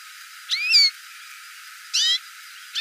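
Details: Hooded siskin calling: two short, bright chirps about a second and a half apart, each a quick buzzy note with stacked harmonics sweeping up then down, over steady faint hiss.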